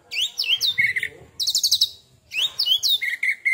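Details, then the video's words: Oriental magpie-robin after one molt, delivering 'tembakan' phrases: rising whistled sweeps, a clipped high rattle, then steady lower whistled notes, in three quick bursts. "Tembakan Kacer Super Pedas Baru 1 Kali Ganti Jubah"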